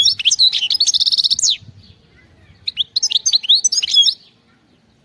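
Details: Wild European goldfinch song: rapid twittering phrases of buzzy, tinkling notes, with a fast trill around mid-phrase, a pause, then another burst of liquid chirps and slurred whistles.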